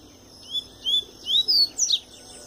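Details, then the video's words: A double-collared seedeater, coming out of molt yet singing strongly, gives its tui-tui song: a run of five sweet, high whistled notes rising in pitch, the final two sharper and more abrupt. "Papa-capim Tui Tui puro"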